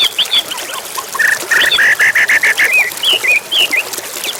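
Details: Agitated white-rumped shama used to stir other birds to fight and sing; a quick series of about eight repeated chattering notes is followed by bright rising whistles, over running water.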